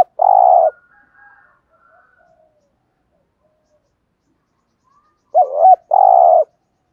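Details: Spotted dove used as a lure to stir up decoy doves, from a set of calling, urging and soft cooing styles: one clipped low coo, a long pause, then a wavering two-part phrase ending in a steady hum.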